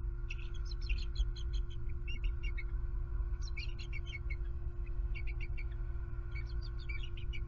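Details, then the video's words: An owl strike at a Southwest Florida nest leaves the wild bald eagle pair very vocal. Repeated bursts of thin, fast, high chattering pause briefly between groups, with a steady humming background throughout. "SWFL Eagles ~Owl Strikes HARRIET Again! ~ Knocks Her to Nest ~ She Wing Slaps ~ H&M on High Alert"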